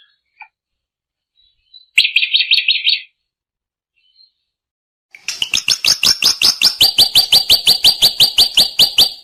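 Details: Drongo song: a brief burst of fast, buzzy high notes, then after a pause a long, steady run of sharp chips repeated about three times a second, slowly settling in pitch.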